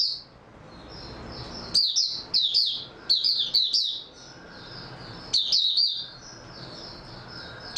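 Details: High twittering song of an oriental white-eye (mata puteh) recorded 3 March 2022: soft notes open, then several rapid bursts of sharp chirps, a quieter spell, and a final burst.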